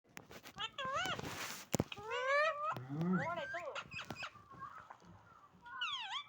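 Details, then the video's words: A pet parrot vocalises with wavering, harmonic squawks and warbling notes that rise and fall, mixed with human speech and a brief loud clatter. "parrot voice"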